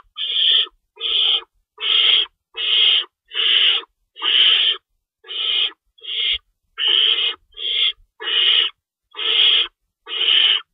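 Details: Owls at a nest box during night feeding time, 3:53 AM on March 25, 2012, with two rabbits stored as prey and an adult staying in to shred food for the young; thirteen harsh, hissing screeches, each about half a second, at uneven intervals.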